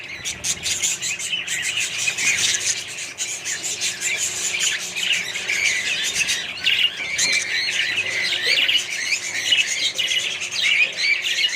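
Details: Many budgerigars and other parrots in a colony keep up a steady, noisy chorus of warbles, clicks and high squawks without pause, the chatter thickening in the second half.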